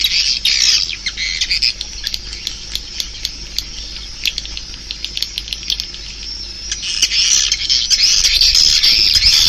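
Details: Swiftlet sounds: sharp, dry clicks repeated several times a second, with bursts of high squeaky twittering at the start and swelling again near the end.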